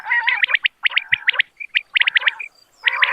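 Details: Common quail giving quick runs of three or four sharp, high, clipped notes, with lower nasal harmonic sounds at the start, brief pauses between runs.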